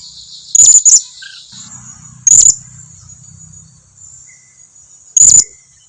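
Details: Blue-crowned hanging parrot giving a lure call to prompt answers from others: a few isolated, piercing high double and single notes separated by long pauses, with a constant thin whine throughout.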